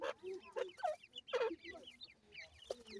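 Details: Teetar (francolin) chicks giving bright, arched peeping notes in quick irregular bursts, roughly two per second. Deeper, throaty cluck-like notes are mixed in among them.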